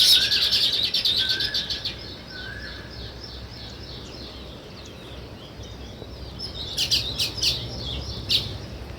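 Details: Sparrow chirping in the open: a dense run of short high chirps and trills in the first two seconds, then quieter scattered notes and a few sharp clicky bursts near the end over steady low background rumble.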